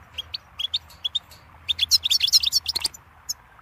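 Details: Goldfinch twittering: spaced chirps build into a dense, fast tumble of high, jingling notes, then trail off into a few last chips.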